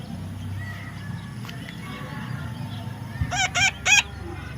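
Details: A baby parrot gives three rapid, harsh squawks near the end, preceded by a faint click and low, constant rumbling background noise.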